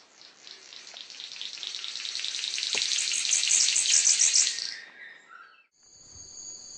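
A male King of Saxony Bird-of-paradise gives a strange, sizzling hiss like radio static, rapidly pulsed and swelling for about four seconds. Thin high whistles follow afterward.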